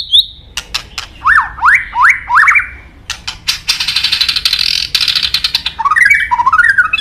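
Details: White-rumped shama (murai batu) popular among songbird fanciers: a thin whistle, then a series of swooping downslurred-upslurred notes, a dense harsh rattling passage, and closing twisting warbled phrases.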